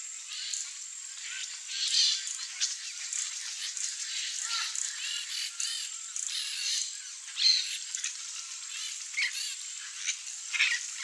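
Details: A bunch of peach-fronted parakeets in Mato Grosso do Sul, Brazil, eat what falls from a feeder. Harsh, scratchy, high-pitched calls overlap almost continuously from several birds, with louder shrieks standing out now and then.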